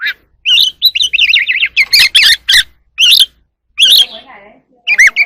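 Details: Wild oriental magpie-robin singing and dancing in the evening: loud, varied whistled phrases, quick warbled trills and sweet rising and falling notes in bursts with short pauses, plus some sharper high notes. No other clear sounds.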